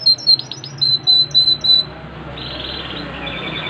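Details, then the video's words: Yorkshire canary giving a string of pure, high sustained whistles broken by short notes, then fading into soft, distant warbling over a low hum. "KENARI YORKSHIRE POSTUR MAKNYOS GACOR"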